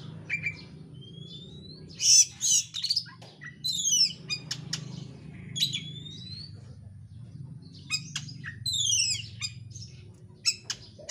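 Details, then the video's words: Lure song of kacer, the oriental magpie-robin, for provoking another bird: sliding whistles, harsh bursts and rapid descending trill series over a steady low background hum. "pancingan kacer gacor isian rapat cepat ngotot emosi"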